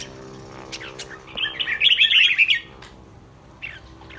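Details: Red-whiskered bulbul kept in a cage in Thailand ahead of a singing contest: one rapid, dense warbled phrase lasting about a second, surrounded by quiet with faint clicks and a soft later note.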